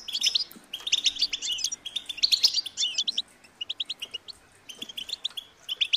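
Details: European goldfinch chicks begging to be fed: bursts of high, twittering chirps in short clusters separated by brief gaps, with quieter isolated chirps in the second half.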